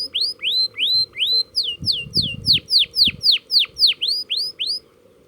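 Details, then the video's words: A canary practising rolls, delivering a long series of repeated rising-then-falling whistled notes about three per second, with a brief low rustle in the middle. "BURUNG KENARI BELAJAR NGEROLL"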